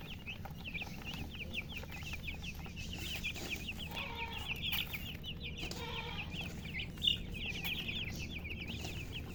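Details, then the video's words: Hen with her chicks, the young giving rapid, thin high peeps in a steady chattering run over a low background hum, with one sharper louder peep near the end. "silly chicken chirping sounds with murgi hen color chicken"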